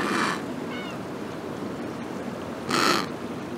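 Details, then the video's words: A penguin of unknown species calls to identify its chicks: two brief, harsh, braying bursts with a buzzy harmonic ring, about two and a half seconds apart, over steady background hiss. "Unknown penguin species call"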